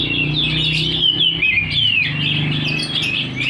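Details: Oriental magpie-robin singing hard with its tail open: fast chattering notes and clear downward-sliding whistles, about two to three phrases a second, against a persistent low hum.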